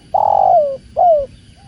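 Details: Spotted dove, called tekukur, coos with the sound of water behind it: two mellow hollow coos, the first long and sliding downward, the second shorter and also falling, over a low continuous watery murmur.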